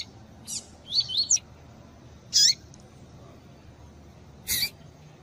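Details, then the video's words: Female-call recording for stimulating a double-collared seedeater of pure tui tui line; a short quiet twitter of high notes followed by spaced, harsh chips over faint background hiss. "COLEIRO TUI TUI PURO COM PIADO DE FÊMEA DE COLEIRO ESQUENTAR COLEIRO E ENCARTE DE COLEIRO TUI TUI"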